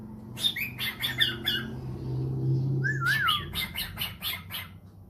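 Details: Pet cockatiel responding to a phone call with quick rough chirps, a wavy whistled phrase in the middle, then more rapid chirping, over a steady low household hum.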